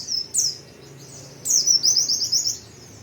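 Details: Energetic white-eye singing: brief high chirps, a pause, then a sustained burst of rapid, shrill, very high twittering for about a second, over a soft low hum.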